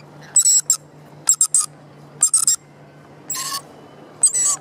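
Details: Rainbow lorikeet in Sydney's Royal Botanic Gardens, Opera House nearby: rapid clusters of shrill, grating screeches, some doubled or tripled, about five bursts in under five seconds over a low steady hum.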